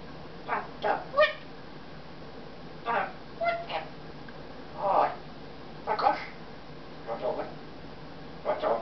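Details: Congo African grey kept as a pet utters speech-like words in short spaced bursts, throaty syllables recurring every second or two, while sucking up with praise of prettiness before telling its owner to shut up; recorded December 2008.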